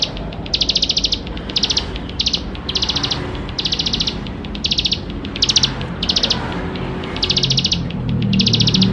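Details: Bar-winged prinia singing vigorously in a richly varied song, played to prompt young birds to sing quickly; about nine short bursts of rapid, high, buzzy pulsed notes over nine seconds, with a low rumble beneath.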